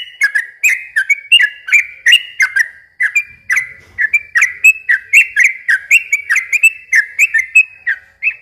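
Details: Yellow-vented bulbul in a long, lively song used to lure and train young birds. Repeated crisp whistled notes, often paired, run continuously for over eight seconds at a brisk pace.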